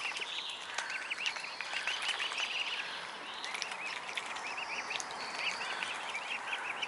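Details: Mute swan cygnets giving a steady run of short, high, arched peeps in quick succession, repeated almost without pause, with scattered clicks and splashy ticks in the background.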